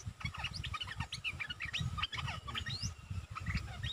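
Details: Streak-eared bulbul, a decoy bird, singing in rapid bursts of short chirpy, slurred notes, several overlapping, with steady low rumbling noise underneath.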